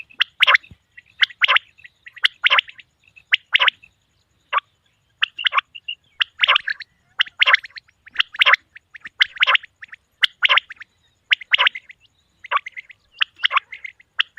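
A male common quail gives sharp, clipped, high notes in quick bursts, repeated about once a second with short pauses.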